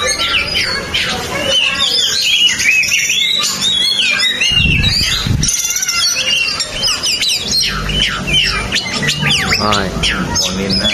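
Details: Oriental magpie-robin in full song: dense, varied stream of loud whistles, trills and rapid chattering phrases, continuous throughout, with a low humming noise in the background.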